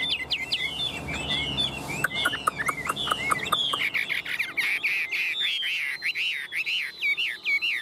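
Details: Captive, very tame Chinese hwamei, a newly arrived bird, sings confidently from its perch: loud, clear whistles and quick slurred notes rising and falling in varied phrases, after a few opening seconds of clicks and rattling.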